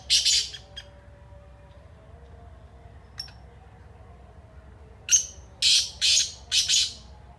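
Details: Black francolin (kala teetar): a harsh burst at the start, a long quiet gap with faint ticks, then a full loud call of a sharp lead note followed by three or four rasping, scratchy bursts.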